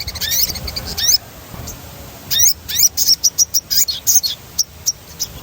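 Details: Sogon song used as a training lure: sweeping high whistles and upward-slurred notes, followed by a string of separate sharp chirps repeated about twice per second.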